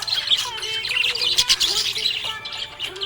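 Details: Happy budgerigar chirping: dense, scratchy high warbling chatter with quick squeaky notes, running continuously, over a steady melodic tune playing in the background.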